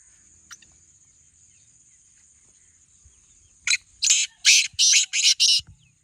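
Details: Black francolin in a calling contest between two birds, No. 1 and No. 2: after one short isolated note, a loud harsh series of five to six grating, buzzy notes comes in quick succession over about two seconds, with a faint steady high hiss behind.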